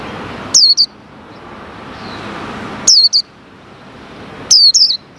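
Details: A captive, untrained white-eye being tested with its cage cover opened while wild white-eyes come near, giving short, high, thin chirping phrases every two seconds or so against a soft background hiss.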